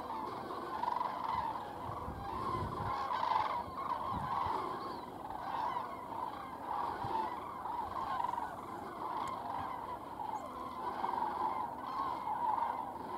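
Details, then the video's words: Flock of common cranes (Grus grus) departing Strabrechtse Heide, Netherlands, 23 January 2016, giving loud, rolling, continuously overlapping trumpeting calls over a faint low rumble. "Kraanvogels (Common Crane, Grus grus)"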